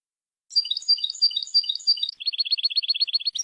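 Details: European goldfinch singing the Jordanian song style, taken from a clean training tape: after a brief pause come bright, ringing repeated phrases, followed by a quick mechanical trill of identical short notes.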